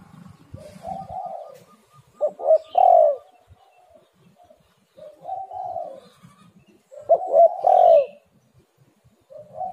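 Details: Spotted dove cooing, used as a lure to get other doves calling: low, mellow hooted phrases with a short stuttered start and a drawn-out falling coo, two phrases about five seconds apart over a quiet background.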